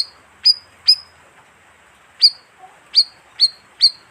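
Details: Bayeman bird call for luring birds: two piercing chirps, a pause of over a second, then four more high, slurred chirps in steady succession.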